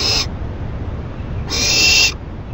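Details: Captive owl at night, late May, receiving a rabbit as food and shredding it: two harsh, hissing screeches, one short and one longer, with steady low background hum.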